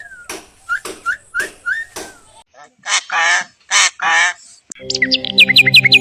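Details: Common myna (shalik pakhi) in India calling with a varied series: clipped notes with short rising whistles, then loud harsh squawks, ending in a fast run of sharp repeated whistled notes over a steady low hum.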